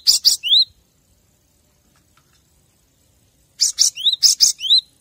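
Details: Cinereous tit singing on a training master for captive birds: a brief fragment of hissing notes and one rising whistle, about three seconds of silence, then a full bout of harsh bursts and upslurred whistles.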